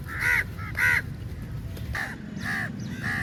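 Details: Crows crowding onto food at feeding time: two loud, hoarse caws close together, then three fainter answering caws from other birds over a low background rumble.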